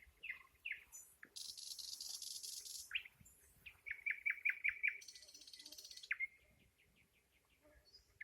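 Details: Nightingale song with short chirps, a long harsh buzzy trill, then a rising whistle leading into a series of five or six clear repeated notes, another buzzy burst and a fading run of soft notes.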